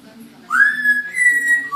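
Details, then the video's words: Baby African grey parrot, 11 months old, learning to talk and sing, whistles Rue's tune from the Hunger Games: a clear, pure note gliding upward, then held higher and steady, ending on a sudden lower note. Faint low room hum underneath. "Baby African Grey whistles Hunger Games Mockingjay"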